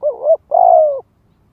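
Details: Spotted dove calling to entice wild doves to come in and fight. Two cooing notes: a rising then falling first note, then a longer, slightly pulsing coo that sinks gently in pitch. Silence follows.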